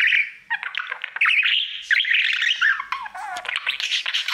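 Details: Budgerigar kept as a pet, warbling to its mirror: continuous loud chatter of clicks, squeaks and buzzy whistles, with a downward-sliding wavering note near the end.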